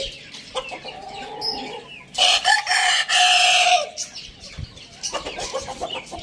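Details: Rooster crows in the morning with a loud two-part cock-a-doodle-doo, the second part long and held, set among lower clucks and chirps of other birds.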